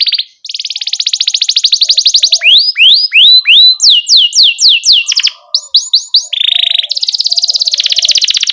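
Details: Rolling song of a canary serving as teaching model for young canaries: opens with a fast buzzy trill, moves into loud upward and downward sweeping whistles repeated about three per second, then ends in another rapid trill.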